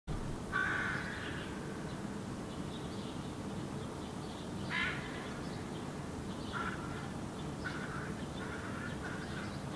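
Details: Hooded crow fledgling on the ground in Helsinki, Finland, in July, vocalizing toward its parent after learning to fly; several harsh, nasal calls in short bursts, spaced a second or more apart, over steady low background noise.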